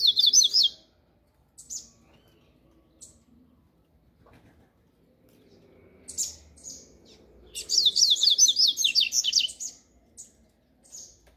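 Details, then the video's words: Double-collared seedeater singing its 'grego' style of song, a rapid run of sharp, buzzy high notes that zigzag up and down, preceded by scattered short chips, with quiet gaps between phrases. "CADA COLEIRO TEM SUA MEXIDA Essa é a do grego"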